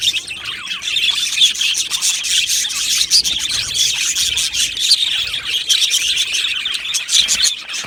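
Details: Many caged budgerigars in an Australian parrot aviary colony, chattering nonstop: busy high-pitched warbles, clicks and short squawks layered into a steady, bright din for about eight seconds.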